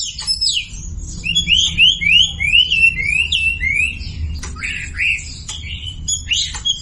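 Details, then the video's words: Lure song of a Sumatran leafbird to make silent birds sing, a clean series of repeated rising-falling whistles roughly three per second, then sharp clicks and high chirps, little background noise. "SUARA MASTERAN WAMBI UNTUK YANG DIAM IKUT KICAU"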